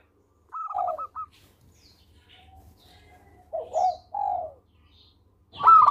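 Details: Melodious local zebra dove singing as a tutor for other birds; a short phrase of rapid clipped coos followed by soft rolling coos, then a sudden louder noise at the end.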